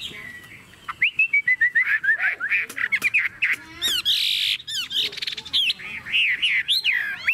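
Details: Chinese hwamei in a cage held by hand and shaken, delivering loud, varied song: rapid chattering notes, sweeping whistles and harsh, buzzy bursts tumbling into one another with hardly any pause.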